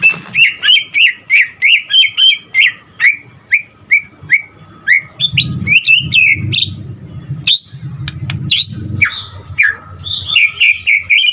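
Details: White-rumped shama singing fast repeated chirping notes, about three per second, then richer mixed phrases and high whistles, over a low rumble in the second half.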